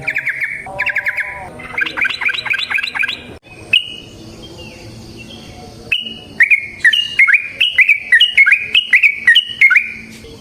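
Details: Yellow-vented bulbul (trucukan) singing in long rolling phrases, used as a lure to train other birds: rapid whistled notes around mid-high pitch in bursts, a pause, then a dense run of repeated liquid chirps.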